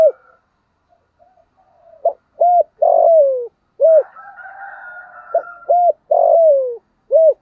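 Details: Spotted dove 'giọng thổ' cooing used to provoke a rival male: two full phrases of short clipped coos and a long falling note, with a soft background hum between.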